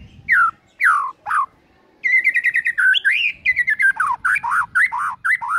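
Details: Morning lure song of a white-rumped shama, used to spur other birds into song: three loud falling whistles, a pause, then a fast varied stream of warbled, rising and falling phrases.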